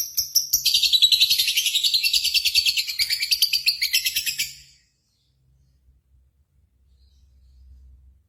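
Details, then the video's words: Lovebird song used as a lure to stimulate singing for contests: a fast run of shrill, buzzy chirps repeated several times a second for about four seconds, then silence. "PANCINGAN Burung Lovebird"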